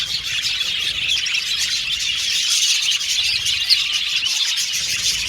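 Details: Cheerful budgerigar chirping meant for lonely budgies: a thick wall of high twitters, squeaks and buzzy warbling from a crowd of birds, constant in level, over a faint low background hum.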